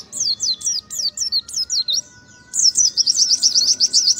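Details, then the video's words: Oriental white-eye in ngalas song: a series of separate falling chirps about three per second, a short pause, then a dense rapid twitter. "PLECI NEMBAK NGALAS"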